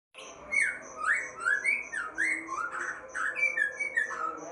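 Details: White-rumped shama singing loud, clear whistled phrases. Rising and swooping notes repeat about every half second, mixed with thin high chips and short trills, in a continuous rich song with little background noise.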